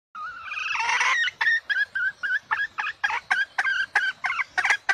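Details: Female red junglefowl heard as a hunting lure call: a wavering, drawn-out opening note, then a rapid run of short, sharp clucks, roughly three to four per second, steady to the end.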